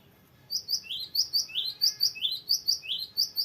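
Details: Long varied rolling song of a constantly singing cinereous tit, used to tutor or prompt other birds: loud, rapid pairs of a high whistle and a lower sliding note, continuing without break for three seconds.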